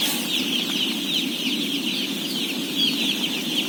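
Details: A crowd of some 17,000 day-old chicks peeps while being fed, a continuous wash of shrill, overlapping cheeps over a constant low droning hum.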